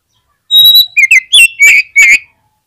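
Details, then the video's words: Oriental magpie-robin lure song to prompt other magpie-robins to sing: one held high whistle leading into five loud, fluty, twisting notes that drop lower, all within about two seconds. "PANCINGAN KACER GACOR INI"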